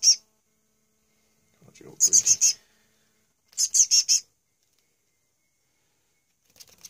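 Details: A hand-fed male chick, on his second day in care, gives two bursts of piercing high chirps in quick runs of four or five. Just before the first burst comes a low shuffling sound, and a faint chirp starts at the end.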